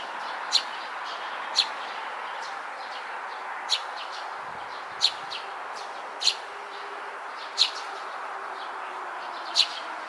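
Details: Drowsy, heavy-eyelidded fledgling Eurasian tree sparrow, recorded 9 June 2022, giving short sharp high chirps spaced about one to two seconds apart, seven clear notes with fainter ones between, over a steady mid-pitched background hum.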